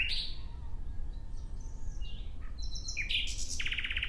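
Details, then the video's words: Nightingale song in short fragments: a bright rising note, soft thin whistles, a few slurred notes, then a quick buzzy run of repeated notes. "Relaxing clear sound of Nightingale"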